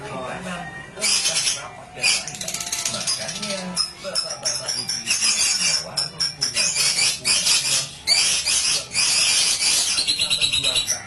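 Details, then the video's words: Hundreds of lovebirds at a breeding farm, a dense chorus of shrill, high chattering and screeching calls in loud bursts, with some low background noise beneath. "RATUSAN SUARA BURUNG LOVEBIRD"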